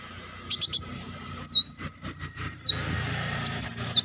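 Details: A short flurry of very high ticking notes opens, then comes a wavering high whistle phrase broken into quick pulses. Purple-throated sunbird, locally kolibri wulung, in rapid chattering bursts with faint background hum.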